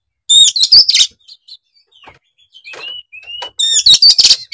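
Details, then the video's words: Oriental magpie-robin, a kept songbird in full, excited song, delivers loud bursts of rich whistled and harsh mixed notes, then a quiet gap with soft slurred whistles before another loud varied burst. "Kicauan kacer gacor emosi bongkar isian"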